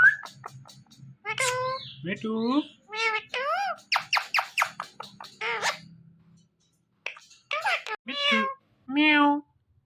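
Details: Indian ringneck parrots talking indoors: a string of voice-like, harmonic syllables and squeaky, wavering notes in quick bursts, with short gaps and some background music.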